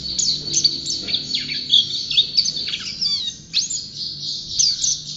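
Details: Champion pleci white-eye singing in full voice: a dense stream of high, bright twitters mixed with quick upward and downward slurred whistles, busy and unbroken throughout.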